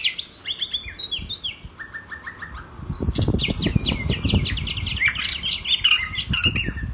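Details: White-rumped shama (murai batu) singing actively, offered as a master recording for training other birds. Rich, varied song of clear whistles, slurred notes and rapid chirps that grows louder and busier midway, with low thumping and fluttering noise underneath.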